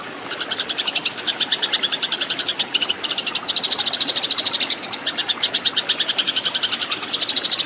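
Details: Eurasian tree sparrow, fighting song used to train caged birds: long runs of rapid, harsh high chips in an agitated chatter, with small breaks between bursts and steady intensity throughout.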